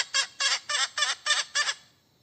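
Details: {'caption': 'Hen cackling while calling for a mate: six loud, harsh, evenly spaced squawking notes in under two seconds, then quiet.'}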